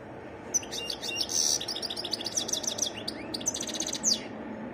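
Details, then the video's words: Wild European goldfinch singing a varied song: rapid, high tinkling twitters and short buzzy trills run without pause for about four seconds, with a steady low background hum. "تغريد حسون متنوع"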